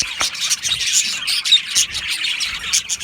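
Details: Budgerigars in an Australian budgie aviary colony, short bursts of high scratchy chirps and twitters packed closely together, with one brief clear whistled note midway.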